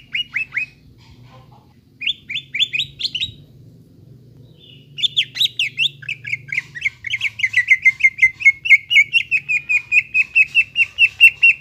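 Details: Lure song of the greater green leafbird for a bird that has fallen silent: scattered short chirp bursts that build into a long, rapid, even series of bright notes over a faint low rumble.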